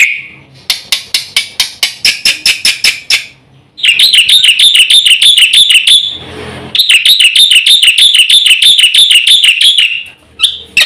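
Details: Black-winged myna, fast full song to provoke quiet birds into singing: a volley of sharp clicking notes, then long bouts of rapid wavering high trills, broken by a brief rasp, ending in quick clicks.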